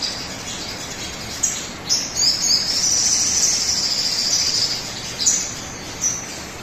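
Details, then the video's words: Sogon song meant to spur other birds into singing; sharp squeaky notes open a long, shrill sustained passage through the middle, followed by a few separate chirps, all over background hiss. "pancingan suara burung sogon agar cepat bunyi"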